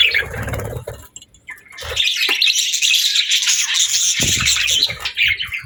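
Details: Parakeet chirping: a soft start with low rustling, then a long unbroken run of rapid, scratchy high warbling and twittering.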